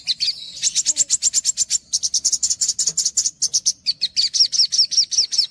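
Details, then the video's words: Energetic olive-backed sunbird song for masteran: dense rapid chips and trills at high pitch, shifting between buzzy runs and clearer slurred notes, about three notes per second and more. "MASTERAN SOGOK ONTONG UNTUK PANCINGAN SOGOK ONTONG BAHAN"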